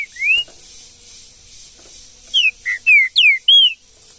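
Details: Wild green-winged saltator in the bush: one rising whistle, then a quick burst of five loud, clear, slurred whistled notes near the end, some rising and some falling.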